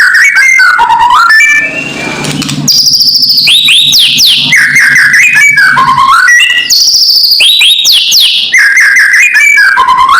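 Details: White-rumped shama kretekan, loud lure call to rile rivals: repeated phrases of rapid rising and falling whistles with crackling edges, interrupted once by a low droning hum, then more fast looping whistles.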